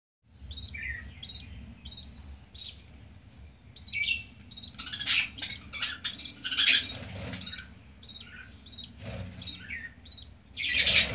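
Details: Budgerigar (Melopsittacus undulatus), begging call: chick begging while being fed by its mother.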